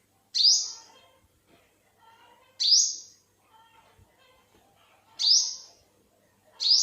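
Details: Single high, piercing upslurred notes from an olive-backed sunbird, four in all, spaced about two and a half seconds apart, with soft, low twittering between them.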